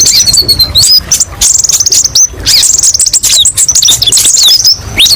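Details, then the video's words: Olive-backed sunbird (kolibri ninja) singing a tutor-style masteran song rich in varied rapid tembakan bursts: high, thin, fast-repeated chirps and short descending whistles, nearly continuous and sharp, with no other clear sounds. "TERAPI BURUNG KOLIBRI NINJA: BANYAK VARIASI TEMBAKAN PEDES & MASTERAN KONIN"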